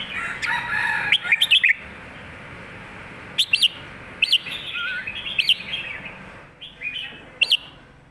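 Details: Red-whiskered bulbul in the southern Thai master song style: warbling opening, then sharp paired chirps repeated roughly every second, with a short rising slurred note in between and some background noise.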